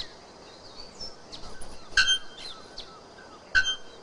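Two sharp, metallic bellbird notes like a hammer striking an anvil, about one and a half seconds apart, over faint chirps of other birds and soft background hiss.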